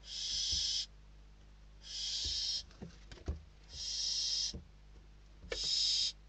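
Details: Inside a Spanish barn owl nest, hungry chicks squabble over a bird brought as food; harsh hissing screeches near one second each recur steadily, with thumps and scraping between them.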